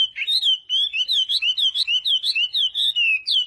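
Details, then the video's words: Wambi in full song, recorded to spur lazy wambi birds into singing; a rapid chain of looping, undulating whistled notes, about two per second, clean and unbroken. "Wambi Gacor Cocok Untuk Pancingan Burung Wambi Malas Bunyi"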